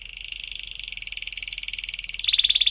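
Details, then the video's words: Canary song used as a lure for young canaries learning to sing: a long, fast rolling trill of high, evenly pulsed notes that steps up into a sharper, louder trill near the end. "kenari gacor panjang Cuit Cuit EMOSI, Pancingan Kenari Paud Belajar Bunyi, terapi AMPUH Kenari MACET"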